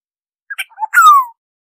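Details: A few short notes precede a long downward-sliding nasal slur from an oriole, recorded for bird survey purposes in clean silence.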